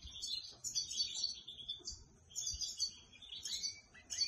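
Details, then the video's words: Trained canary singing indoors while perched on a hand; quick high warbled phrases in two bursts, ending with lower rising whistles. "Trained canary at home singing beautifully Canary singing on your hand"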